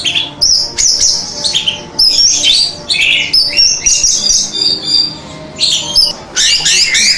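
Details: Orange-headed thrush song for training caged birds: loud whistled phrases and twittering runs come in clusters with brief pauses between them, ending in a dense burst of high, buzzy trills.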